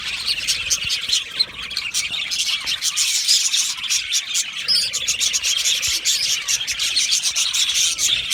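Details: Australian budgerigar colony in an aviary, singing and chirping: a dense, continuous high chatter of overlapping twittering and warbling notes from many birds, with no pauses throughout.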